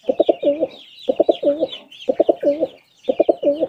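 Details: Pigeon cooing: four repeated phrases about every second, each a few short clipped notes followed by a longer, bending hollow coo, with faint higher chirping behind.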